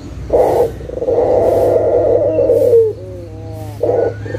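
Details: A local puter (Barbary dove) calling as a lure for doves that have stopped calling: a short coo, then a long, low, steady coo that trails off into fading echoes, before the next short note begins.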